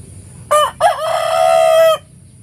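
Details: Morning crow of a rooster: one loud cock-a-doodle-doo, a brief broken start followed by a long, steady, richly harmonic note that ends abruptly, with faint low rumble behind.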